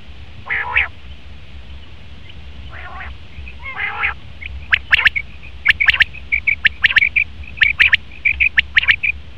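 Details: Hoarse nasal calls open the passage before a male common quail starts rapid three-note phrases, mixed with a chain of short level pips.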